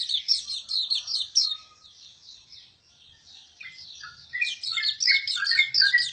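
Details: Hume's white-eye song: rapid, high, jumbled twittering notes in quick bursts, a quieter pause in the middle, then louder slurred chirps dipping slightly lower in pitch toward the end.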